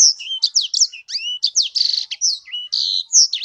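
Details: Sanger bird in full song: a fast, loud stream of high sweeping whistles, trills and buzzy chirps run together with barely a pause.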